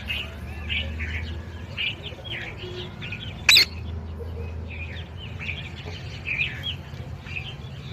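A parrot gives a steady run of short, high chirps and chattering notes, several each second. A sharp loud click cuts in partway, over a low background hum.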